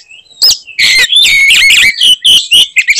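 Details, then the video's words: Oriental magpie-robin, stirred to fight, gives short bursts of harsh, strident notes mixed with bright whistled slurs, several loud phrases separated by brief silences. "kacer gacor tarung bongkar materi tembakan khas bikin kacer lain NGAMUK dan EMOSI"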